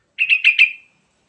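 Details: Sooty-headed bulbul, used as a lure to make other birds sing: a crisp phrase of four quick bubbly notes, then silence.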